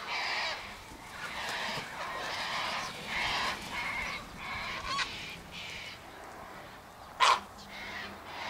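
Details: Sulphur-crested cockatoos feeding on tossed sunflower seeds, wheat and birdseed by an eastern gate give harsh, raspy screeches at moderate distance, with a sharp louder crack near the end and a noisy background.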